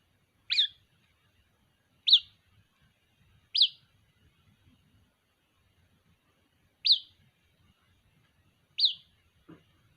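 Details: White-breasted waterhen chick calling for its mother, five sharp, high peeps falling in pitch, irregularly spaced over ten seconds, then a brief soft knock near the end; quiet background.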